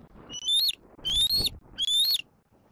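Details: Young bald eagle calling to its mother near its Southwest Florida nest, April 2024 afternoon: three piercing, slightly rising whistled squees, each about half a second long, spaced roughly evenly with short gaps.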